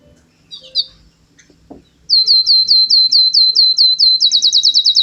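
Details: Canary in song: a couple of soft twittering notes, then a loud series of high, sweeping notes repeated steadily about three times a second, quickening into a tight rolling trill at the close.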